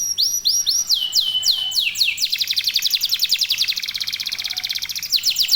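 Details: Local canary in full, steady song, played to prompt other canaries to sing: a few slow, sliding whistled sweeps, then a dense, fast rattling trill. A faint low hum runs beneath.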